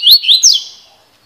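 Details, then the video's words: Double-collared seedeater giving a brief, high, piercing song fragment of three quick downslurred chirps followed by a fading thin trill. "COLEIRO FIBRA (CILADA)"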